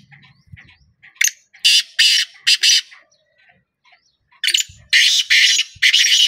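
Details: Black francolin call: after faint low background hum, loud rasping, buzzy notes burst out in a broken series of about four, a quiet gap, then another rapid run of harsh grating calls.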